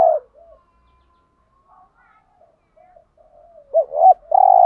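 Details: Spotted dove lure calling to attract wild doves: mostly faint, scattered soft coos, ending in a loud phrase of two short notes that runs into a long coo.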